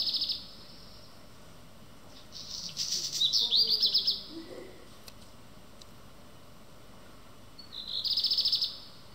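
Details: Black redstart singing early morning at Schwerin railway station: short high, scratchy phrases with a crackling, rattling middle, separated by pauses of several seconds, over faint background hum.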